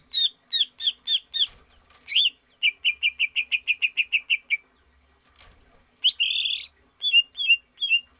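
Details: Caged greater green leafbird singing for stamina training: repeated loud whistled notes, then a rapid even series of about a dozen similar whistles, a harsh buzzy burst, and a few sweeping high notes.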